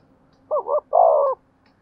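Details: Spotted dove kept as a lure bird, cooing in the 'giọng thổ' manner. A single phrase has a quick doubled hoot followed by a fuller, longer coo, mellow and low. The background is nearly silent.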